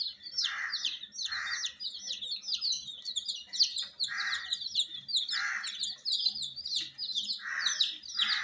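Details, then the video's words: Flock of colour-dyed domestic chicken chicks kept indoors with supplied heat keeps up a nonstop chorus of high, downward-sliding peeps, punctuated about every second by soft rushing lower bursts. "Witty MURGI Baby "Chicks Chirping" Sound"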